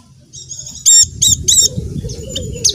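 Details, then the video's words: Javan dakun white-eye lure for silent caged white-eyes: a thin high twitter, then three loud, bright, looping notes in quick succession, followed by softer chatter over a low hum. "pleci macet akan ikut bunyi dengar pancingan ini | pleci dakun jawa"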